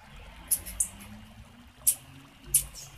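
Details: Female blue-black grassquit call to encourage male song: a few isolated, very high, clipped chips, some in pairs, over a quiet low hum.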